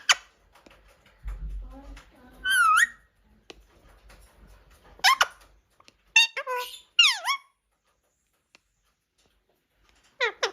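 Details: A pet talking Indian parrot (mithu) gives sharp, squeaky chirps and swooping screeches in short bursts, with some faint murmured sounds and a low rumble early on.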